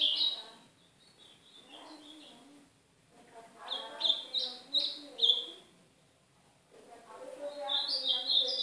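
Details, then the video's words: Ultramarine grosbeak of the Northeast, song played to train and warm up a pet golinha; three bursts of rapid, sweet whistled notes, each a second or two long, separated by short pauses, over faint low background sounds. "Esquentar meu golinha canto do AZULÃO DO NORDESTE"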